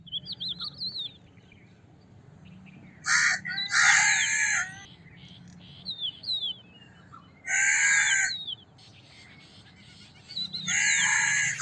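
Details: Cawing crow with three widely spaced bursts of harsh, nasal caws about four seconds apart. Scattered thin whistles of other small birds sound in between.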